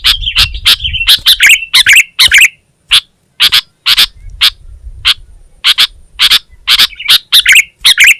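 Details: Indonesian kutilang, the Sooty-headed bulbul, singing vigorously: a dense run of warbled notes and sharp chirps, a brief gap, then spaced single chirps building back into rapid chattering bursts and warbles.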